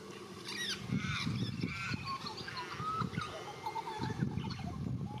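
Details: Australian magpie of the white-backed form warbling in Australia: rich, wavering, harmonic notes and chortles in quick succession, with low rustling noise underneath.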